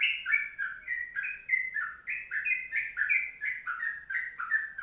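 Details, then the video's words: A sooty-headed bulbul delivers its kongslet song in a long, busy run: mellow warbled note pairs, falling then climbing, strung together without pause, with light high ticks overhead. "Masteran Trucuk Kongslet Panjang"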